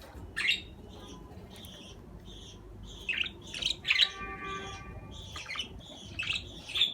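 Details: A budgerigar chatters with clusters of bright, twittering chirps and short squeaks, interrupted by a brief buzzy, rattling note in the middle.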